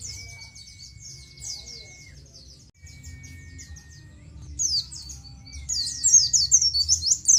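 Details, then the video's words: Oriental white-eye (pleci) in ngalas song, used as tutor material for captive birds: soft scattered high chirps, then louder quick twittering bursts toward the end, over a faint low hum and a thin steady tone. "Ciet ciet ciet. suara burung pleci nGalas full materi"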